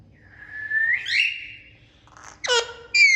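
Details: Indian ringneck parakeet, a talking pet parrot making natural sounds: a long, steady whistle that slides upward, then a pause and two harsh, buzzy squawks rich in overtones, with faint low rumbling behind.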